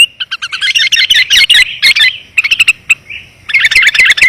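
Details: Sooty-headed bulbul calling on a lure track for attracting wild bulbuls: a dense, continuous jumble of bubbly chattering notes and quick chips, briefly broken by a lone slurred note before another rapid burst.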